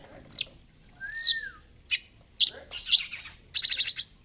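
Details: Kacer, oriental magpie-robin, puffed up ('ngobra') in 'gacor fighter' song: a few sharp high notes, one arched whistle, then a brief rapid rattling trill.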